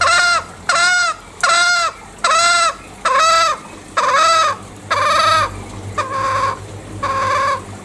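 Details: Green junglefowl, Bali, uttering nine loud, nasal, arched calls at a regular pace, the last few flatter, rougher and fading.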